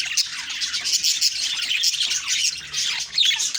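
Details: High, buzzy chirping and warbling from several budgies in the morning, running on without pause, with a few sharper squeaks near the end.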